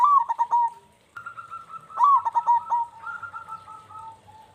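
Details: Singing local zebra dove, a bait recording to spur others into calling. Loud, choppy cooing phrases repeat about every two seconds, overlapping steady rolled coos at two slightly different pitches, suggesting more than one dove.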